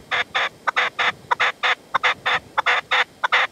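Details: Partridge and decoy at sunset high in the sierra, Manzanares, 27 February 2014, with the male refusing to approach; loud, grating chuck notes delivered in a steady run, some doubled, close and clear over a quiet background.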